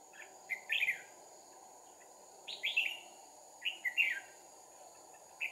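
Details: Red-whiskered bulbul at a trapping site, two decoys in use, 2 April 2019: three short, liquid, rising-and-falling whistled phrases about a second and a half apart, with a constant high insect drone and soft background hiss.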